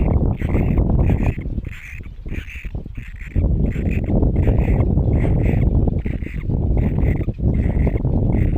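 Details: Great Cormorant chicks giving rapid, evenly spaced rasping calls, roughly four per second, briefly interrupted around two to three seconds, against heavy low rumbling background noise.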